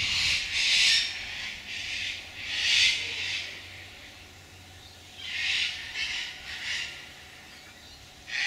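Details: Sulphur-crested cockatoos performing aerial antics in gum trees give about six loud, harsh, raspy screeches at irregular intervals, each under a second long, over a faint low background hum.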